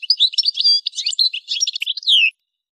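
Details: Brief Algerian goldfinch phrase recorded at Kef El Hamam, Souk Ahras, Algeria: jumbled bright chirps and twitters, closing with a longer down-slurred whistle.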